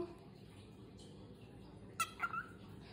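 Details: A male pet cockatiel interacting with its owner gives a quick burst of short, bright chirps against a steady indoor hum.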